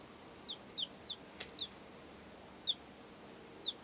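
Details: Three two-day-old chicks recorded in 2012, giving sparse, thin, high, downslurred peeps, about seven spread irregularly over four seconds, above a steady hiss with one soft thump.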